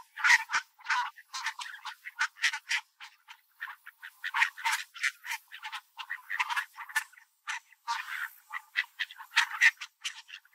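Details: Crowd of park Mallards, including a large dark-feathered duck with a white chest, scrambling and pecking over scattered birdseed; continuous clipped, nasal quacking in uneven rapid bursts with brief pauses between flurries.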